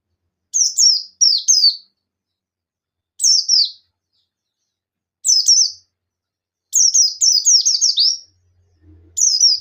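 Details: Buxton's white-eye in ngalas singing, calling rivals to respond: high, sharply falling notes in pairs, singles and a rapid run of five, with a faint low hum near the end.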